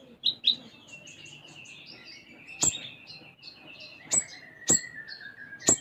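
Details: Actively singing sunbird with a song filled with sparrow-like phrases (isian gereja): a long run of quick high twitters over a thin sliding whistle, broken by several sharp loud clicks.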